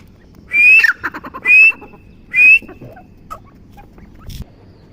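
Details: Three piercing, upward-sliding whistles from a grey francolin, about one per second, each followed by brief clicky notes, then quiet with a faint knock near the end.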